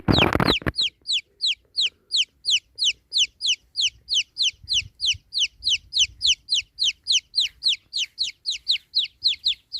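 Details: A baby chick peeps steadily, giving high, downward-sliding whistles about three times a second. The run starts right after a short loud noise burst.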